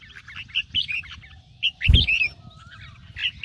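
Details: Caged red-whiskered bulbul morning song in the ché style, used to stir newly caught birds to sing: bright whistled and chattering phrases, with one dull low thump midway and a soft low background hum.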